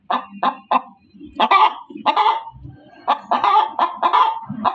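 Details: Hen cackles loudly, beginning with three clipped clucks, then longer, harsher squawks and a busy run of clucks, with low scuffling sounds between calls.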